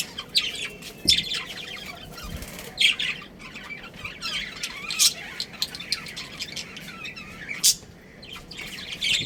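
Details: Pet budgerigar breeding pair keeps up continuous scratchy chatter with repeated sharp chirps and brief harsh squawks, steady throughout, against a low indoor background.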